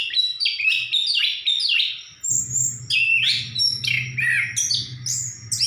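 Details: Orange-headed thrush in energetic song: quick whistled phrases and sharp high notes tumble one after another, while a low steady hum runs underneath in the second half.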